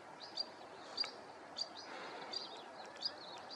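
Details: Repeated calls of a Whinchat, brief sharp high whistles at uneven intervals of roughly half a second, some followed by faint ticking notes, against constant outdoor background noise.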